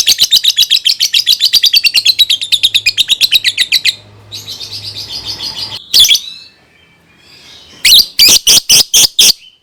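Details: Lovebird song for tutoring young birds: rapid high chattering twitter, then a pause with softer buzzy notes, a sharp squawk, and a final burst of loud clipped chirps.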